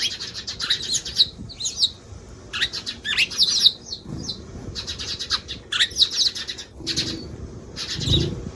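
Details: Eurasian tree sparrow chirping, one of a range of sparrow call types: bright, sharp chirps in short clustered bursts separated by brief silences, with a few soft low thuds like wingbeats.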